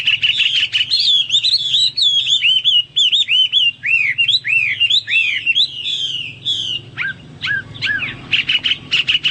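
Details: Hwamei delivering loud, varied song: fluid looping whistles, repeated rising phrases and quick trills, ending in sharp descending notes and brisk chips.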